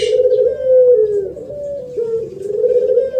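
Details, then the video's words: Spotted dove singing thổ pháp style, a song used to provoke males and females: continuous low, smooth coos dipping and rising in pitch, with faint twittering in the background. "Tiếng Chim Cu gáy thổ pháp mới nhất 2023 hay nhất dùng kích bổi kích trống kích mái"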